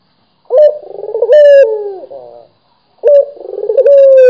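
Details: Local dove from Indonesia in full, frequent cooing: a sharp opening note leads into a rapid purring roll and a long held tone that slides lower, then a second coo begins after a half-second pause.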